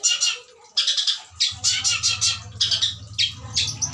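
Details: Long-tailed shrike, an adult breeding bird kept for breeding, singing a song described as full of imitated phrases: harsh, buzzy, broadband bursts in rapid clusters with short gaps, over a steady low mechanical hum from mid-clip onward.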